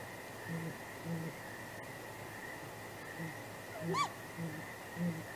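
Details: Nesting great grey owl pair at night, 23 April 2019, trading contact hoots before possible mating; soft, low hoots spaced irregularly, a brief click, and one louder arched higher cry toward the end over a droning background.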